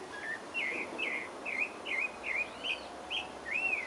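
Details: Pale-breasted thrush (Turdus leucomelas) singing in French Guiana: a steady run of short whistled, warbling phrases around the same pitch, each slurred up and down, delivered about twice per second over soft background hiss.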